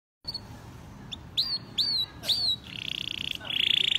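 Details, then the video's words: Male canary singing vigorously: after a short pause come four high, swooping whistled notes that rise then fall, followed by a fast, even, rattling trill and then a brighter, quicker trill at the end. "kicau kenari jantan gacor"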